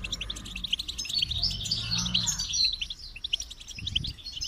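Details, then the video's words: Goldfinch song: rapid twittering, tinkling notes and short buzzy trills running continuously high in pitch, with soft low rumbling noise underneath. "Motivating Song of the Goldfinch"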